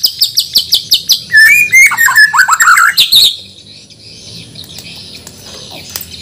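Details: Caged white-rumped shama of Borneo, from Banjar, being readied for a singing contest: a rapid series of sharp chips, about nine in a second and a half, then a tumbling run of varied whistled and warbled notes, ending abruptly before quiet hum.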